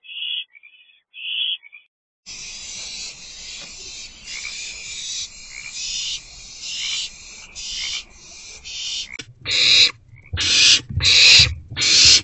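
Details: Owls in a nest box in the evening, during two rodent deliveries on 29 March 2024. A couple of soft, higher tonal notes come first, then a long series of harsh, broadband hissing bursts follows almost without pause.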